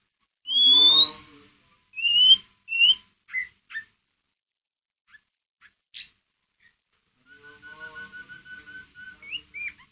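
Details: Lure recording of a white-rumped shama's ngeriwik call meant to provoke another shama: loud upslurred whistles open, then scattered short chips, ending in a lower, softer run of rapid repeated notes.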